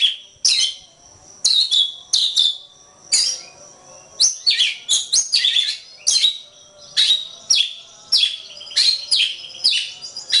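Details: Masteran recording of an Oriental magpie-robin (kacer) song: crisp descending whistles and scratchy flourishes, spaced phrases early then quicker, tightly packed notes toward the end.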